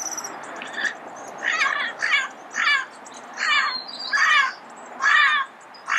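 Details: Early-morning calling of a red-crowned amazon in Pasadena: a run of rough, screechy squawks about every 0.7 seconds, each a short burst, over light background twittering.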